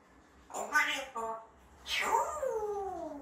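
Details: Pet parrot in a small room that learns words by itself, uttering two quick syllables followed by a long voiced phrase sliding smoothly downward in pitch, tonal and word-like over a quiet hum.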